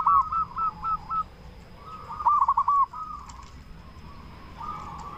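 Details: Local zebra dove cooing, used as a lure to make other zebra doves respond; a quick rolling series opens, a short loud burst of bubbly notes follows midway, with fainter coos trailing.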